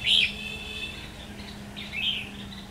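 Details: Red-whiskered bulbul competing in song at a trap, 13 October 2019. A loud ringing, slightly buzzy chirp with a lingering tone starts the phrase. A second, softer warbled burst comes near the end over a low steady hum.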